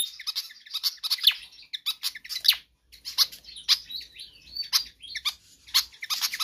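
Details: Pied fantail in full, insistent song for use as a master or lure recording. Bursts of shrill chips and squeaks, with a brief pause midway and some wavering thin whistles.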